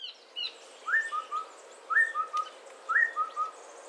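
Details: Three whistled phrases from a streak-breasted scimitar babbler. Each is a rising hoot then two lower, shorter notes, spaced about a second apart. Faint bird twitters can be heard above them.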